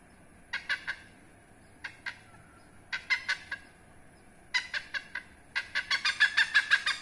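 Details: A hornbill, a protected species in Indonesia, heard behind a house, gives harsh, nasal cackling notes in short bursts of two to six, the bursts quickening into a fast run at the end.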